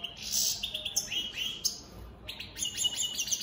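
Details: European goldfinch of the opal split Satane mutation in song, a continuous high twittering of sharp chirps and brief trills with a faint low hum beneath.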